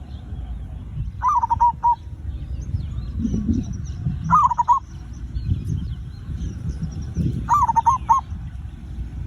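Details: Zebra dove lure song, played to prompt other birds into singing quickly: short bubbling cooed phrases of rapid notes, each about a second long, repeated about every three seconds, over a steady low rumble of background noise.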